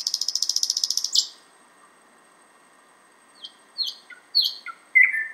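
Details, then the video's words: Thrush nightingale singing outside a window in Finland, far north of its usual range: a fast dry rattling trill of rapid clicks, then a pause before scattered sharp high chips and a lower slurred whistle. "Thrush Nightingale (sound recording)"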